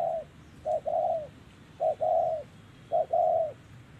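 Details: Spotted dove cooing during trapping, a song in the 'giọng thổ' style, recorded in Vietnam in 2023: three two-part phrases, each a short low coo followed by a longer drawn-out coo, spaced about a second apart over quiet background.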